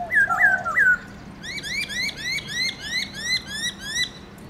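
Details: A kept black-throated laughingthrush in morning 'forest voice' song, switching between many voices. Three looping bright whistles and a lower slur are followed by a fast string of about nine rising whistled notes.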